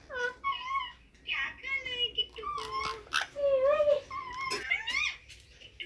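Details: Talking green ringneck parakeet on a mobile phone indoors: a quick series of high, bending, speech-like syllables, some drawn out and wavering, with brief pauses between phrases.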